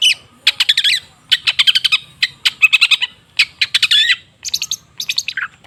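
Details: Long-tailed shrike chattering song for stimulating silent shrikes: clustered bursts of sharp, rapid ticking notes and short whistles in uneven groups, with brief gaps between bursts.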